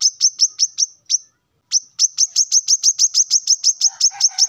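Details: Morning song of a male plain-throated sunbird challenging rivals: quick high, piercing chips in a short burst, a brief silence, then a long steady series of about fifteen identical notes, with faint rustling at the end.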